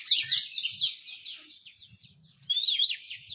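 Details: Two bursts of quick, sweeping high warbles with a pause between, plus faint low rumbling; bird song intended as a lure to prompt singing and attract females.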